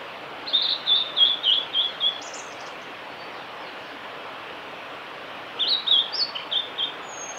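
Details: A male blue-and-white flycatcher sings at Kanazawa forest road, Lake Miyagase, Japan, on 5 May 2018: two phrases of high, sweet whistled notes, each about a second and a half, separated by a long pause over steady rushing hiss.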